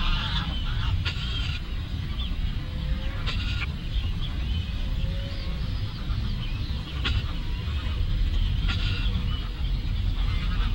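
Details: Scattered goose honks at Lagoa Maior in Três Lagoas. Short harsh calls come in spaced bursts about every two seconds, with a low continuous rumble underneath.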